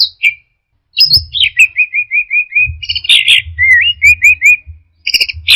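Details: Anis merah, the orange-headed thrush, singing 'teler': high whistles, then a row of about seven short identical slurred notes, buzzy bursts, and another quick series of repeated slurs, over a faint low hum.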